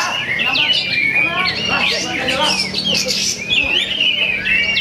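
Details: Kapas tembak (a bulbul) that won first place at a bird song contest gives a busy stream of bright chirps and quick whistled slurs, high and rapid with barely a pause, over a faint hum and other birds chattering.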